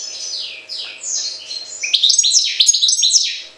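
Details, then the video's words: European goldfinch from Jagodina in full song: descending slurred whistles lead into a fast, dense tumble of liquid twitters and buzzy trills, rapid and unbroken for over three seconds. "Stiglic-Jagodina 5"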